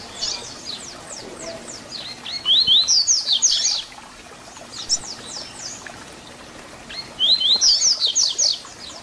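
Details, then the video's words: A double-collared seedeater sings a "tui tui zel zel" song used as a teaching model for young birds: high, rapid phrases of sharp downslurred notes and buzzy trills, two bursts about four seconds apart, over faint hiss. "Papacapim Tui Tui Zel Zel Canto FIBRA para Encarte!!! - Coleiro Professor Aprendizado"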